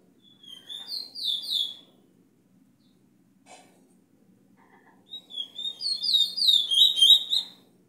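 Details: Teacher bullfinch singing for young birds to learn from: a short run of bright downslurred whistles, a long near-silent gap with a faint click, then a louder, faster phrase of rapid repeated slurred notes.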